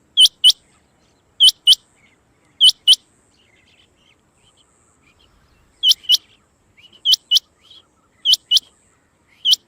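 A rain quail gives sharp, high, metallic double notes, about one pair every second, with a short pause mid-way and faint chirps between.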